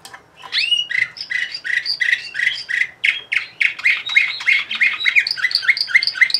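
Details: Bulgarian canary of 2020 named Orpheus, bred in Sofia, singing a dense, fast song: an upward slur, then bright syllables repeated several times a second in a steady, chattering, trilling stream.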